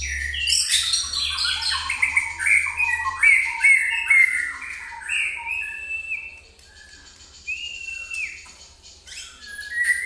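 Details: Song of an agitated white-rumped shama, used as a lure to provoke other birds: fast, varied whistled phrases, bright high notes and sliding tones, with brief pauses between bursts.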